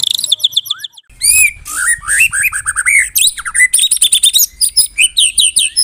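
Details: Medan murai batu, white-rumped shama, pouring out a tight kretekan song for morning masteran; rising whistles, a rapid series of looping slurred notes and sharp repeated chips packed closely together.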